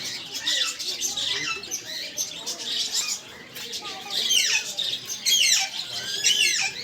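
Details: Parrots calling together in a busy, overlapping chatter of high, sharp chirps and squawks, with several loud downward-sweeping screeches near the end over a steady background of other birds.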